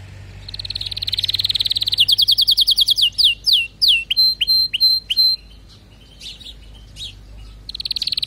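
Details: Canary song: a long buzzy rolling trill builds in strength, then breaks into fast descending whistled sweeps and pure level whistles with short pauses, before a fresh rolling trill starts.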